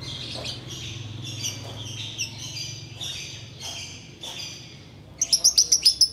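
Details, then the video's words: Sooty-headed bulbul singing in the ngekek style while waiting to break the fast. Separate whistled notes come in short phrases about half a second apart, then a fast, sharp, high chattering series of about ten notes closes the passage. "Ngekek Biang Kerok"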